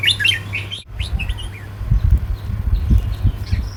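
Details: Red-whiskered bulbul song in the southern 'counting flowers' style, valued for its pattern and rhythm: a quick run of chirpy, warbled notes in the opening second, then fainter scattered notes over a low rumbling hum.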